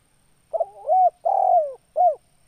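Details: Spotted dove giving its 'kuk 2' style coo: a soft broken opening note, a long mellow hooting coo, then a short final coo, all low and clean against silence.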